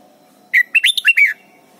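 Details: Red-whiskered bulbul recorded in Thailand as a teaching song for young birds: a crisp, cheerful burst of six linked whistled notes rising and falling within under a second, with a low steady hum in the background.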